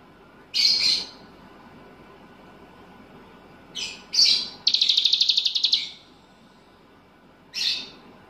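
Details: Caged bulbul trained with cicilin bird songs, singing vigorously: short high bright bursts, then a fast rattling trill held about a second, another brief burst after a pause.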